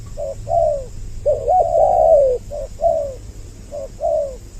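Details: Lure call of spotted doves for attracting both sexes: short low coos each followed by a longer downslurred note, a long wavering coo in the middle, over a faint low hum.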